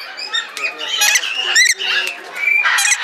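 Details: A captive Red lory (Eos rubra) at Belgrade zoo gives harsh, raspy squawks mixed with shrill rising whistles and chattering notes, several in quick succession over a few seconds.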